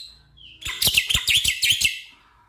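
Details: Black-winged myna song used to get a stressed caged bird singing: a brief thin whistle, then a second-long burst of loud, harsh, rapidly repeated chattering notes.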